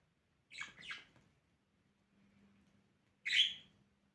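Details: Pet budgerigar in morning play, with two quick raspy chirps, a pause over a low hum, then one loud harsh squawk.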